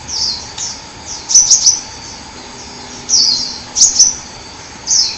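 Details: Forest hummingbird twittering: groups of sharp, very high ticks and brief downslurred squeaks, coming in bursts about every one to two seconds, against a constant soft background hiss.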